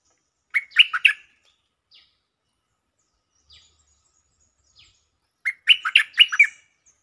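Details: Stripe-throated bulbul singing as a lure, giving two loud bubbly phrases of rapid gurgling notes about five seconds apart, with a few faint ticks in the quiet gap between them.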